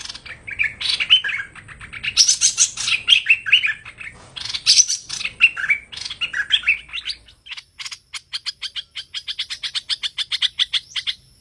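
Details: Hoành hoạch bird calls used to trap birds: dense scratchy chatter with looping whistles for several seconds, then a fast, steady string of short, sharp chirps.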